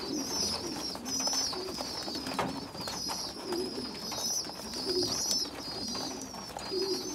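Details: Young pigeons, a small poorly developed youngster feeding bigger well-developed youngsters; thin, wavering high whistles run almost continuously, with soft low cooing murmurs underneath.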